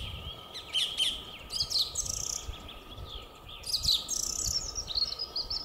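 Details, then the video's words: A song thrush sings in spring 2022, bold bursts of high whistled and chattering phrases, some repeated, with short pauses between them; a faint steady hum sits underneath. "Певчий дрозд поёт / song thrush sing"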